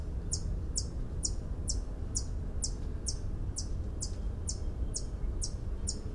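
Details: White-eared hummingbird, a species of mountain pine-oak and pine-evergreen forests: a steady series of high, metallic tinks, about two per second, thirteen in all, over a low background rumble.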